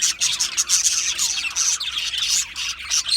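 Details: Budgerigars chirping as a flock: dense, continuous high twittering and warbling with rapid overlapping chirps and short whistled notes, no pauses between calls.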